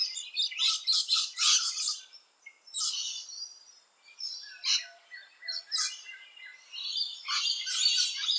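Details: Loud, harsh, rasping screeches of rainbow lorikeets around nesting holes in Australia, coming in rapid clusters with short pauses, ending in a sustained shrill burst.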